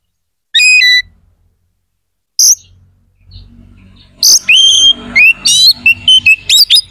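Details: White-rumped shama, singing to excite other shamas' aggression and breeding drive, opens with a few clear whistles, then after a pause launches into a fast, loud series of sliding whistles and sharp notes.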